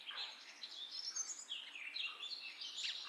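Common myna chattering in a busy run of varied, squeaky and gurgling notes, mostly high-pitched, with faint background hiss.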